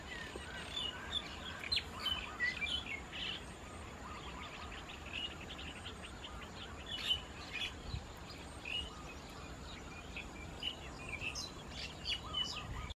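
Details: White-vented (great) mynas feed on ripe Ficus rumphii fruit in rice fields at Khao Yoi, Phetchaburi, Thailand, on 28 March 2016. Several chatter at once in a busy stream of short, squeaky chirps and harsh notes over a steady hiss.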